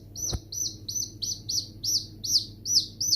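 Baby chickens peeping: high, bright, slightly falling cheeps repeated about twice a second, with a single soft knock near the start.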